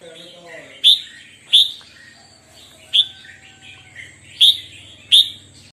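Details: Red-whiskered bulbul in morning singing practice, giving five short, sharp, bright notes spaced roughly a second apart, with soft, lower twittering between them.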